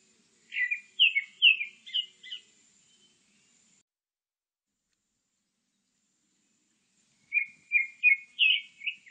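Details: A Grey-backed thrush sings two phrases of five or six clear, fluted, high whistles, quick and varied, separated by a pause of about four seconds.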